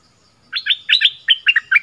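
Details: Decoy bulbul from southern Thailand sings a quick, bubbly phrase of about eight liquid, warbling notes, rising and falling in quick succession.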